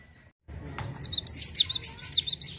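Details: Java sparrow rolling song used as a lure to get other birds singing, a rapid series of high, descending whistled notes starting after a brief silence and a click.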